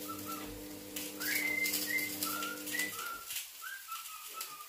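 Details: A pet cockatiel whistles the human melody "Don't Worry Be Happy" in clear, tonal notes that step up and down.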